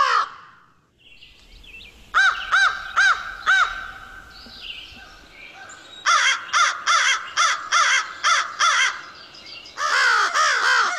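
American Crow giving loud, harsh caws in bursts of four to eight, each caw a short hoarse downslurred note, with brief pauses between bouts.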